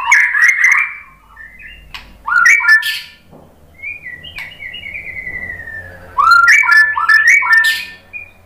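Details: White-rumped shama (murai batu) song played as a lure (pancingan) to get other shamas singing; rich bursts of rapid whistles and chatters separated by quieter stretches, with a long, thin, sliding whistle in the middle.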